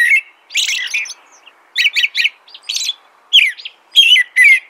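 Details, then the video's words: Short burst of American robin song, with varied whistled phrases, some clustered in quick pairs and triplets, others squeakier and higher. "American Robin Song"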